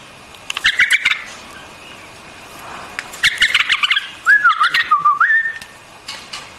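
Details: White-eared bulbul singing in bubbly bursts of chirpy notes, followed by a wavering, whistled phrase that dips and rises before ending on a level tone.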